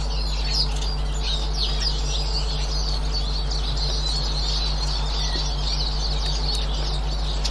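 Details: Eurasian siskins, 18 March 2024, producing a steady stream of high, jumbled twitters from a group, accompanied throughout by a low background hum.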